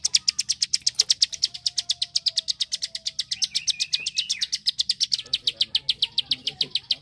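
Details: Prenjak klik, the bar-winged prinia, sings a long unbroken chain of dry clicks for tutoring competition birds; a faint thin whistle and a brief rising chirp from another bird sit beneath.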